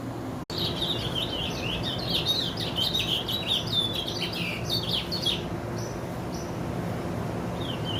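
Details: Curió, the chestnut-bellied seed finch, white-bearded form, delivers a long rapid song of sweet whistled and slurred notes, many swooping up and down, for about five seconds, then a few sparse notes trail off over a low constant hum.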